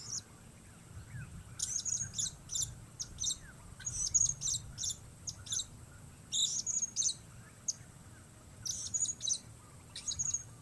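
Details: Blue-crowned hanging parrot heard outdoors, uttering shrill, high-pitched squeaky chips grouped into quick bursts separated by gaps of one to two seconds, over low background rumble.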